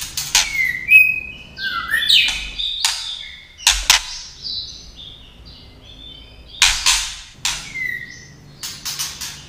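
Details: Female white-rumped shama singing and clicking to provoke males: sharp crack-like clicks scattered through the clip, mixed with brief whistles, slurred twittering phrases and harsh rasps, with quiet pauses between bursts.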